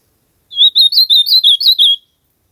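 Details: Wild ultramarine grosbeak song recorded outdoors, a rapid run of seven slurred, wavering whistles delivered in a single phrase of about one and a half seconds, bright and clean against silence.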